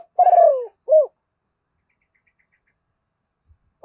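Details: Spotted dove coo in the thổ pha voice, used to train decoy birds: one drawn-out, gently falling hoot followed by a short rounded coo, then silence.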